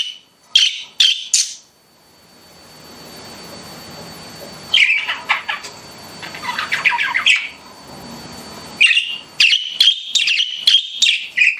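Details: Pet budgies giving bursts of sharp, bright chirps and squeaky calls, separated by quieter spells with a soft background hiss and faint chatter, ending with a quick series of repeated high chirps.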